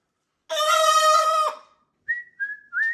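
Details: Macaw parrots in a flock during kitchen playtime in a new setting: one loud, raspy screech lasting about a second, followed by three short, clear whistled notes.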